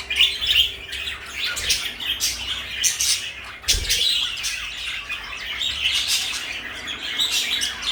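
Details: Two pet parakeets, one blue and one light yellow, kept together as companions, chirp and twitter in a steady, busy stream of high, scratchy notes, with a brief soft low thump near the middle and light room noise behind.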